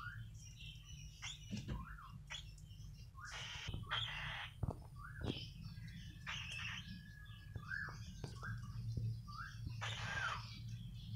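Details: Cockatiel chicks at hand-feeding time give harsh, raspy begging calls in short repeated bursts, mixed with thin chirps.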